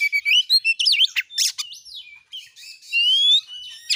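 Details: Oriental magpie-robin singing, played as a lure to get a kept bird singing: short chattering notes, a sharp downslurred whistle, then a long, clear rising whistle near the end.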